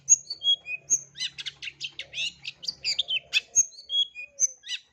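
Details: Long-tailed shrike in full repertoire song, used for training young birds: thin high whistles sliding downward, then a dense run of scratchy, buzzy chirps and clicks, then falling whistles again. A faint low hum underneath.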